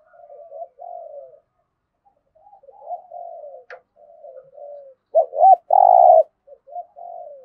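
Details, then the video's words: Spotted dove cooing in the Thổ-voice style, played to spur newly caught captive doves to call and fight: soft low coos, then a loud pair of short hooked notes and a long, slightly tremulous coo. "Tiếng chim cu gáy thúc gù + thúc đấu đủ bài giọng THỔ giúp bổi nhanh nổi"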